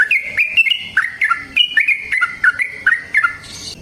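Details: Yellow-vented bulbul in 'ropel panjang' song, used to stimulate other bulbuls: a steady flow of rich, whistled, bubbly phrases that step up and down in pitch, with a brief harsher note at the end.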